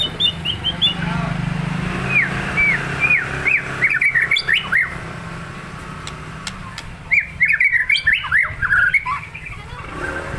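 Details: White-rumped shama, deliberately provoked to agitation, singing two rapid bursts of sharp chirping and whistled notes, jumbled and fast, separated by a quiet pause, with a steady low hum underneath.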